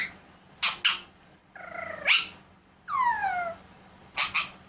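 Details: Caged pet Alexandrine parakeet at home performing sound effects: two sharp clicks, a level then upslurred harmonic note, a long falling whistle, and a final pair of clicks, with faint room hum beneath.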